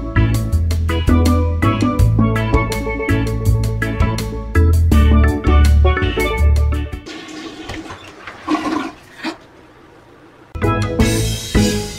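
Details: Steelpan-style music with heavy bass, broken by a few seconds of rushing, water-like noise, with no animal voice heard.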